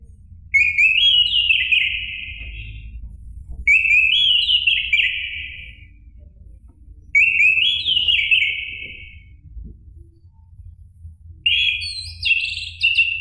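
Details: Orange-headed thrush recording played to provoke a caged bird to sing: three rich whistled phrases about every three seconds, warbling and slightly descending, a fourth starting at the end, with low hum beneath.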